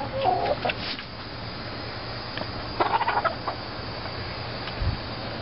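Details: Pet hens in a city backyard, three Rhode Island Reds and two Easter Eggers close to 20 weeks old and nervous near the camera; a nasal cluck opens, a rough burst of clucking follows midway, with constant low hum.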